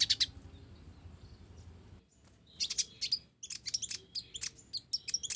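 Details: Ninja sunbird of mottled plumage in full song laced with sparrow-like notes: rapid high chips and short buzzy trills in loose runs, a brief quiet gap near the start, low rumble behind.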